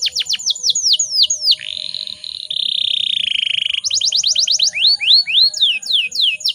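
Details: Female canary sound used as a lure to provoke males into singing: a run of high, sweeping down-slurred whistles, then a long buzzy rolling trill, then more rising and falling whistled notes. Faint low rustling sits underneath.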